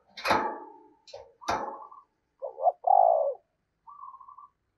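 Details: Decoy spotted dove with a 'giọng thổ' voice: after a few sharp tapping noises comes a phrase of low, mellow coos, a quick double note, a longer swelling coo, then a softer, higher trailing note.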